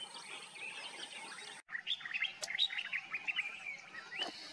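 A common myna sings a rambling medley of chattering notes, squeaky whistles and sharp clicks, with a brief break partway through and a steady high hiss behind.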